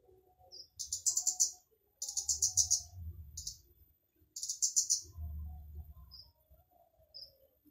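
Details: Flowerpecker singing loudly to coax other flowerpeckers to sing. Three quick runs of sharp, very high ticking notes, each under a second long, separated by pauses, with faint single chips and a low hum underneath.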